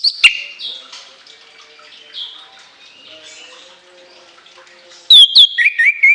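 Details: Orange-headed thrush song bursts: a sharp note at the start, then quiet with faint chirping, and finally a loud shrill run of whistled, slurred notes stepping downward over the last second.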